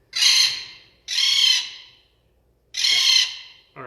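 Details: Captive parrots at Meigs Point Nature Center in Connecticut give their alarm call, reacting to the keeper being with the blue jays: three loud, harsh, broad screeching squawks about a second long, spaced irregularly over a few seconds.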